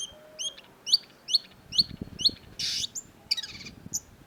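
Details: Long-tailed shrike (cendet), tutor recording for cage birds: a run of six crisp, evenly spaced high chirps, then a harsh rasping burst and a few scattered sharp notes.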